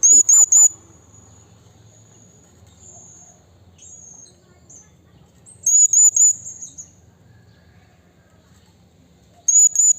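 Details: A blue-crowned hanging parrot in the wild calls to a rival with quick, piercing, very high triple notes. These come in clusters about every four to five seconds, with faint thin whistles between them over a low, soft background hum.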